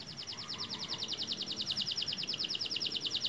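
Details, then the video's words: Young canary whose voice has just broken, singing a fast run of repeated high notes, about three per second, each a quick downward-curving chirp, steady throughout over faint background hiss. "KENARI MUDA BARU PECAH SUARA UDAH ISIAN MANTAP"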